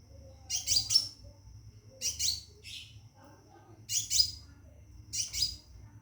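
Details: A caged Scarlet minivet calling a female to mate produces four evenly spaced bursts of piercing high chirps, roughly one every one and a half seconds, each burst brief and stuttering, above a faint constant high tone.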